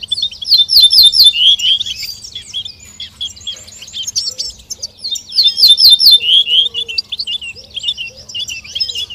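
Goldfinch song: rapid tinkling twitters and liquid trills, high-pitched, in two long bursts with faint background chirps between.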